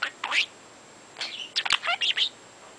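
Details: Pet talking budgie chattering in the morning: quick sequences of squeaky, warbling chirps and scratchy mimicked syllables, sharp clicks between phrases, indoors over a low steady hiss.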